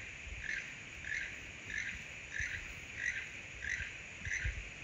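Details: Keel-billed toucan at Chachagua Rainforest Hotel & Hot Springs giving its far-carrying, frog-like croaking song: dry croaks, about eight in five seconds, repeated at a steady pace over a low background rumble.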